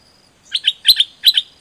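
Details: Zebra dove song used for training birds: three paired bursts of bright chirped notes, each pair about 0.1 seconds apart, set near 0.4-second intervals, clear against a quiet background.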